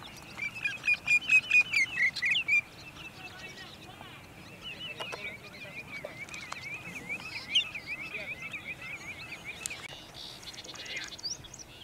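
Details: Sandpipers serenading the sunset at Montezuma, New York, 6 May 2019: a loud, fast series of about nine looping whistles opens, then a softer chorus of distant similar callers continues over a faint background.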